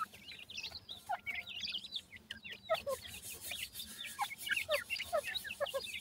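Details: Grey francolin chicks feeding, uttering quick high chirps and some lower downslurred peeps in irregular clusters, with a faint hiss in the background.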